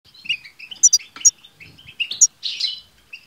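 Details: European goldfinches singing together, played to prompt a pet goldfinch to sing; bright twittering chatter with short buzzy trills and sharp high notes, irregular bursts throughout.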